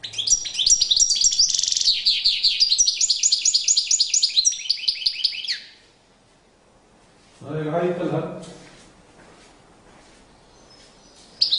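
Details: European goldfinch singing in a courtship display: fast, bright twittering phrases of high trills and chirps for about six seconds, then silence, a short burst of lower rustling noise, and a brief final chirp.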